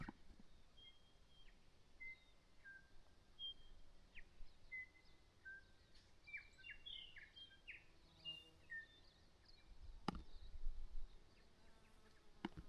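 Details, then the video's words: A New Zealand mountain bird, possibly a bellbird, sings thin, clear whistled notes at varied pitches with a few buzzy chips, over a low rumble of wind or rain as weather comes in. "Take a moment to listen to this bird song."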